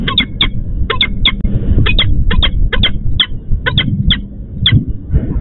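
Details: Female peregrine falcon in Łódź, Poland, calling for her mate at a missed nest change, repeating loud, scratchy notes often in pairs at a regular pace above low-frequency hum.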